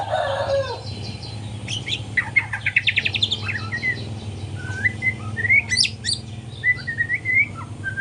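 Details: Learning to sing in the morning, a juvenile white-rumped shama gives a harsh chattering phrase, fast rattling notes, then sweet, spaced whistles and short rising chirps, all over a continuous low hum.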